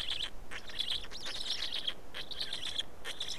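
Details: Black storks at their nest in Estonia during a feeding, afternoon of 19 May 2019: thin, high, quavering wheezes in rapid wavering bursts, one short pause midway, over a soft hiss.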